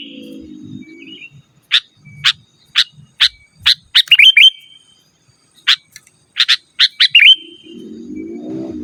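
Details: Sooty-headed bulbul in full, chatty song, used to call rivals and as a training master: a run of evenly spaced sharp chips breaking into twisting whistled phrases, twice, with low humming at the start and end.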